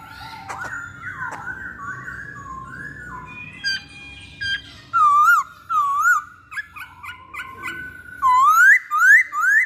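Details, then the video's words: Masked laughingthrush lure song from a kept bird: quiet wavering whistles build into loud looping whistled notes repeated in short bursts, ending with strong rising whistles about every half second. "Pancingan Poksay Hongkong"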